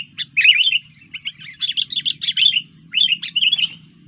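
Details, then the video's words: Sooty-headed bulbul pouring out a busy stream of quick chirps and rolling warbles, pausing briefly before a final bright phrase, against a quiet low hum. "Burung kutilang gacor"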